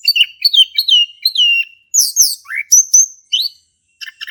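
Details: Orange-headed thrush male song for stimulating a silent bird; a series of clear, falling whistled phrases, followed by high buzzy notes and a rising whistle, ending in faint chips.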